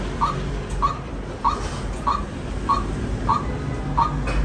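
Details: Seven short, sharp notes from a white-breasted waterhen, evenly spaced roughly every 0.6 seconds at a constant pitch, with a low hum in the background.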